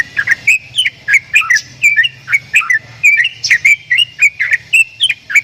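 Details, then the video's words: Unusual Javan myna vocalizing: dense clusters of short whistled chirps and twisting notes in uneven groups, with a soft low hum underneath. "JALAK KEBO BEESUARA ANEH"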